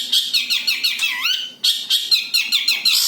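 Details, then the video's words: Pure long-tailed shrike voice, no mimicry, used as a lure: two bouts of harsh, rapidly repeated grating notes, about five per second, with a falling-rising whistle between them. "SUARA ASLI BURUNG CENDET TANPA ISIAN COCOK UNTUK PANCINGAN"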